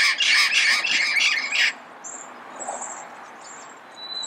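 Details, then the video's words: Early-morning Pasadena recording of a red-crowned amazon: a burst of rapid, grating squawks lasting under two seconds, then quiet with thin high chirps from other birds. "Red-crowned Amazon Bird Sound, Bird Song, Bird Call"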